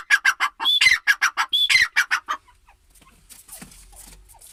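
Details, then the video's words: Grey francolin (teetar) giving a fast, loud series of harsh repeated notes, some with high whistled slurs, around fifteen calls in under 2.5 seconds, followed by faint background noise. "Teetar ki awaz l teetar sound l teetar vioce l gray francoline"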